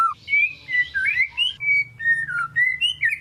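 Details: Shama kept as a pet, singing as a lure for a reluctant bird: a short string of smooth, fluting whistled phrases of mid pitch, each note gliding up or down, spaced about a third of a second apart.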